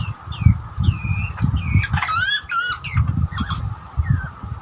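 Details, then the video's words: Young butcherbird chatting with an older one during feeding in Australia: arched, whistled harmonic notes, then a quick stuttering series of rising chirps, fading to a few soft calls over low rumble. "Two Birds chatting to each other during feeding ? Australian Butcherbird"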